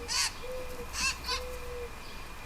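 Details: Common Grackle fledgling begging at a backyard birdbath in summer, near parents: three harsh, raspy begging notes about half a second apart, over a soft steady musical tone.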